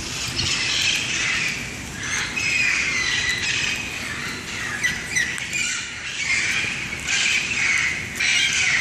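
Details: Flock of parrots calling loudly in Pasadena on a rainy December 2, 2014: overlapping harsh squawks rise and fall in noisy bursts every second or two, constant and shrill throughout.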